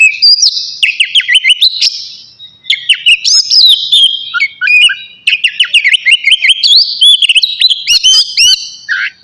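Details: Energetic song of an oriental magpie-robin, navy type, just before bathing: bursts of bright whistled phrases and twisting slurs, separated by short gaps around two and five seconds.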